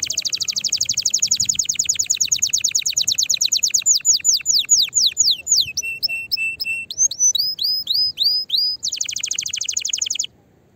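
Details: Canary singing strongly to stimulate other canaries and ready a female for mating. A fast, tinny trill of repeated notes slows into descending slurs, holds a short steady tone, moves through varied whistled notes, then ends in a quick trill that stops abruptly.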